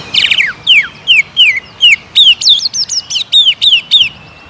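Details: Greater green leafbird, a prolific singer, lure song meant to provoke aggressive singing: a steady series of clear, downward-slurred whistles about three per second, becoming faster, with doubled, higher notes near the end.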